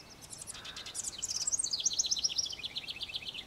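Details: Singing house wren delivering a fast, jumbled series of high buzzy chatters that shift into a rapid, evenly repeated run of lower descending notes, loud and clear over faint background hiss.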